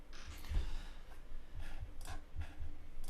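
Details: Soft breathing, faint clicks and low rumbling handling noise in a small indoor space, with no animal voice.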